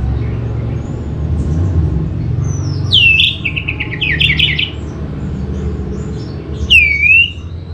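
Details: Orange-headed thrush lure song: a loud whistled swoop falls into a rapid chattering run of repeated notes, then one more clear downslurred whistle follows after a pause, against a low steady rumble.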